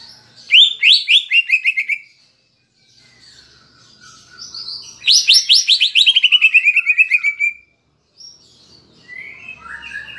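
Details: Caged cucak ijo song with kapas tembak fill, used as a lure to excite birds: two long bursts of rapid, sharply descending chattering notes, separated by soft warbling and quieter whistled phrases.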